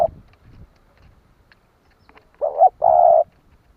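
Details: Spotted dove used as a decoy to stir other doves to call, giving one low cooing phrase: a brief wavering hoot followed by a longer even coo, after near silence with a faint earlier coo tail.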